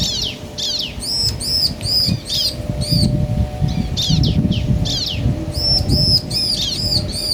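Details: Bar-winged prinia pair, male and female calling back and forth: bursts of bright, ringing arched notes repeated in quick runs, with pauses between phrases, over low rumbling noise.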